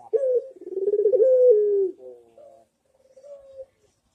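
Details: Barbary dove in manggung song, a master recording to make other doves reply: a rapid pulsing coo building into a long sustained note, then two softer trailing coos.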